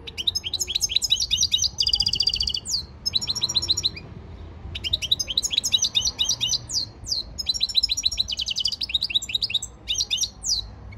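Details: Goldfinch singing its training song on 15 February 2024: long bouts of rapid, liquid twittering mixed with buzzy rattles and sharp upward sweeps, broken by brief pauses, continuing for the whole stretch.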